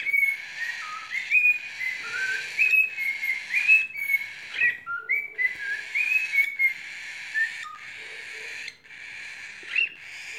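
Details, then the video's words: A cockatiel sings to two baby cockatiels, a rambling string of clear whistled notes sliding up and down, with short pauses between phrases and faint chirps in the background. "Calopsita Kiko cantando para dois bebês calopsitas"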